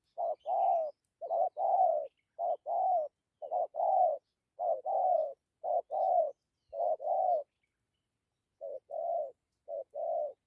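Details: Spotted dove of the 'thổ' type giving a good cooing voice with 'dặm' and 'gù' phrases: low, hollow coos in short-then-long pairs, repeated steadily about once a second, with a brief pause near the end.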